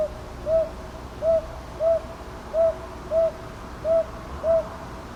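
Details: Recorded 22 May 2023 at Ichijoji in Kyoto's Sakyo Ward with a TASCAM DR-100MKIII, a northern boobook gives seven mellow, even hoots, each short and slightly arched, repeated at roughly two-thirds-second intervals against quiet ambient noise.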